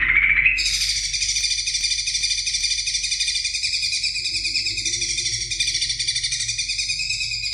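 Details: Greater green leafbird training recording for other birds: after a short rising note, a long unbroken rapid buzzy chatter, harsh and rattling, held steadily for several seconds.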